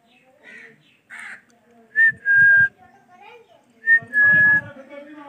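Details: Male ringneck parrot, a rose-ringed parakeet, shown talking: soft mumbled notes, then twice a two-part phrase of a short high whistle sliding into a longer steady whistle with a buzzy low undertone.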